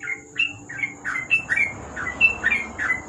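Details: At night beneath a lamp, a yellow-vented bulbul (trucuk) delivers ropel singing: short, slurred chirps tumbling quickly and unevenly, with a thin constant whine in the background.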